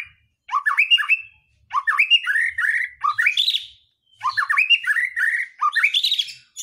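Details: White-rumped shama song used to provoke other birds into singing: loud, varied whistled phrases with rising and falling slurs, delivered in bursts separated by short pauses.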